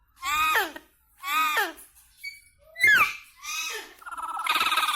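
An Indian ringneck parakeet talks in short, high, nasal word-like phrases, about four in quick succession, then ends on a harsher buzzy note.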